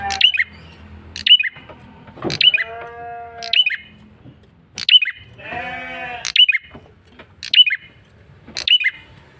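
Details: Insistently repeated lure call of a male red-headed prinia: sharp high chirps with twisting tails roughly once a second, broken by two stretches of nasal, bleat-like tones between the calls.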